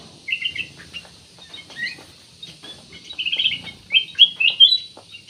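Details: Black-naped oriole song meant as a lure for other birds: scattered bright chirps at first, building into a fast, rolling run of high twitters and sharp whistled notes near the end.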